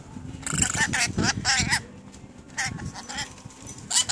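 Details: Newly acquired pet rainbow lorikeets talking: a rapid phrase of wavering, speech-like syllables in the first two seconds, then softer mumbled chatter and a short squeak at the end.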